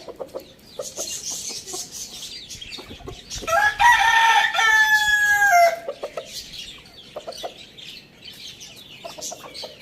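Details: Rooster crowing in the morning: a loud, drawn-out harmonic cock-a-doodle-doo in the middle, ending with a falling note, amid steady clucking and chirping from other birds.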